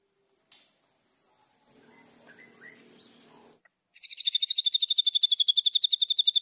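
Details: White-rumped shama singing as a training master: soft, faint chattering at first, then a loud, fast, regular trill of piercing high notes starting near the four-second mark.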